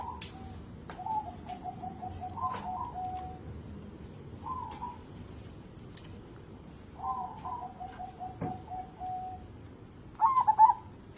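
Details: Local zebra dove, singing readily and used as a lure for other birds, giving soft low rolling trills and short coos through most of the stretch, then a loud stuttered burst near the end.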